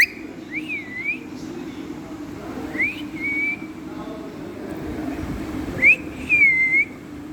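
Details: A pet Indian ringneck parrot talking, apparently saying "main mitthu" in Hindi/Urdu: three short, high, whistle-like phrases a few seconds apart, each swooping up then levelling off, over a low background rumble.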